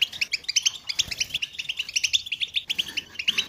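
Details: European goldfinch stimulation chatter, played to make silent goldfinches sing: quick bright chirps in rapid runs, each note a short metallic twitter, phrases separated by brief gaps.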